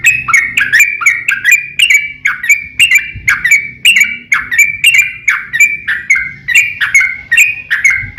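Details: Long rolling fighting song of a yellow-vented bulbul used to provoke others; a continuous stream of quick, chattering, rising and falling notes for eight seconds above low rumble.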